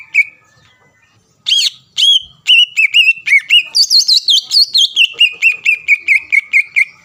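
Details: Greater green leafbird singing to provoke rival leafbirds: notes speed up, climb into higher looping whistles, then step back down into a fast, even series of lower chirped whistles.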